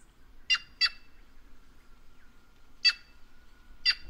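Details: Harsh doubled calls of a White-naped jay, Brazilian caatinga bird, loud rasping notes in pairs then single bursts, separated by quiet gaps with a faint steady whine.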